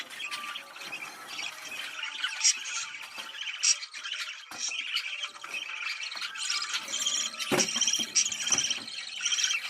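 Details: Budgerigar chatter meant to excite birds into mating: a nonstop, crowded warble of twittering, clicking and squeaky notes from multiple birds, with occasional louder squawks and thin high whistles.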